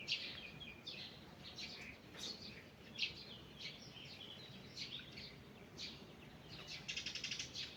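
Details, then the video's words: A chorus of morning birds in the forest: dense, overlapping high chirps and trills, ending in a rapid buzzy rattle, with continuous ambient hiss underneath. "Morning Birds Singing in the Forest"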